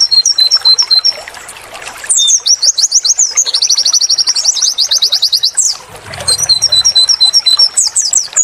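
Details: High-pitched white-eye song used for training: repeated two-note whistles, then long fast rattling trills of sweeping notes, then whistled pairs again, with a brief low hum near the end.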